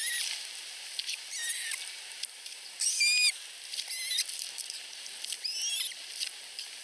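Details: Begging from two osprey nestlings less than a week old in a Finnish nest as the mother feeds them: sharp, high peeping notes with quick upward and downward slides, one loud squeak standing out midway, against airy background noise.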